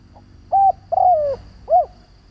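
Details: Spotted dove used as a lure bird to draw other doves: a soft note, then a flat coo, a long coo gliding downward, and a final arched coo, all low and mellow over a faint steady hum.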